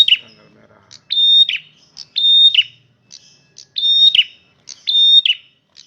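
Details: Loud male red prinia repeating a phrase roughly once a second: a steady high whistle that breaks into a rasping downslurred flourish. Short high chips fall between the phrases.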